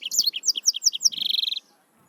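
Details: Serinus mozambicus, the yellow-fronted canary, singing a fast series of high, bouncing chirps that runs into a rapid, even trill before stopping abruptly.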